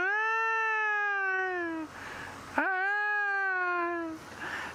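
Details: Trumpeter Hornbill call at sunrise, 8 December 2016, Djuma: two long, nasal wailing notes, each slightly falling, like a very sad crying baby; the second starts with a brief upward squeal.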